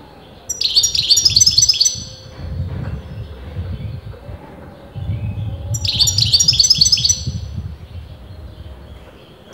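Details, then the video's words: Two long phrases of quick, tinkling twitters from a European goldfinch that breeders disagreed about as male or female, about five seconds apart, with low rumbling noise in between. "غناء متواصل لمقنين"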